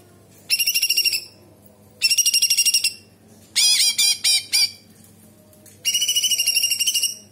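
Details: Actively singing cucak cungkok bulbul with kapas tembak fill: four high bursts, fast even pulsed trills at start and end framing a set of quick harsh dropping notes in the middle.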